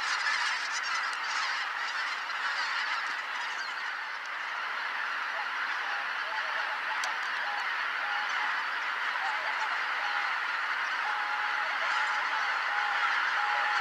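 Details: Flock of greater white-fronted geese arriving at Kotomo-numa pond to roost, 13 October 2019 at 17:25, twenty minutes after sunset; a dense, continuous chorus of overlapping high honking and yelping calls from many birds, with no pauses.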